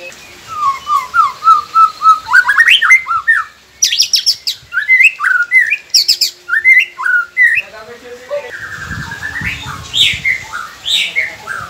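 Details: Song of a white-rumped shama, used as a training recording to coax captive birds into singing: a fast, varied stream of whistled and chirped notes, with rising sweeps and slurred phrases over faint background noise.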